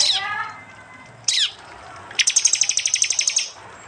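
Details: Prinia recorded by android phone in East Java, Indonesia, part of a combined prinia and jali training mix for songbirds: a falling sweep, a brief high slur, then a fast rattling trill of about fifteen sharp high notes.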